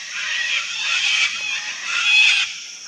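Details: Sulphur-crested cockatoos in a wild colony giving harsh, rough, broadband shrieks that swell and fade in overlapping bursts, several birds calling together with no pause.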